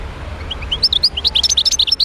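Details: European goldfinch from the wild around Médéa: a short burst of clear, rising chirps that speed into a lively, bouncing twitter of high tinkling notes.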